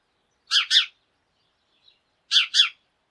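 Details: A flock of sparrows chirping in the morning: two paired double chirps, each pair quick and harsh, about two seconds apart.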